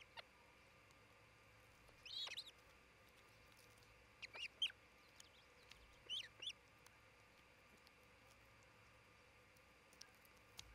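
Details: Osprey at a newly built nest in Charlo, Montana, one of a breeding pair on a live nest camera, 27 June 2018. Three short bursts of high, thin chirping notes, spaced about two seconds apart, against a steady faint background hiss.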